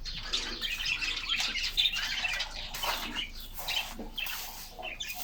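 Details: Caged canaries in summer sunshine, hopping and playing while singing together; dense overlapping high chirps and twittering trills run throughout, with wing flutters and soft cage rustling beneath.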